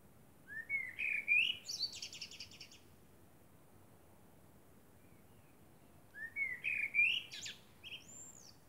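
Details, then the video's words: Common blackbird singing in darkness under the moon, delivering two verses several seconds apart: rich, looping, fluted whistles, each closed by high, scratchy trills, against near silence. "Blackbird sings under the moon"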